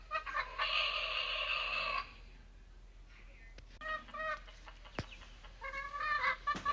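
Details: Morning rooster giving a drawn-out, harsh, harmonic crow of about one and a half seconds, then a pause and a series of short rapid clucking notes.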